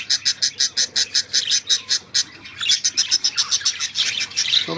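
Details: Pet bird, described as jealous, chattering in quick high chirps that pause briefly, then resume faster and more jumbled, with a low voice-like sound at the close.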